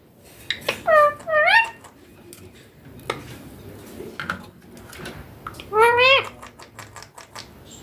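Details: Indoor young Indian ringneck parakeet, green, producing talking sounds: quick paired harmonic upslurs early on, clicks and soft noises, then one more bright arched screech near the end.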